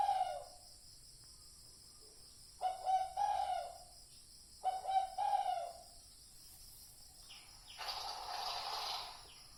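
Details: Spotted dove calling on a recording made for decoy luring: a few low, hoarse coo phrases separated by long silent gaps, with a brief hissing noise near the end.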